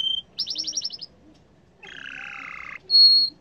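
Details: {'caption': 'Yellow canary with a fast high trill, a lower buzzy rattling passage after a short pause, then a clear sustained whistle.'}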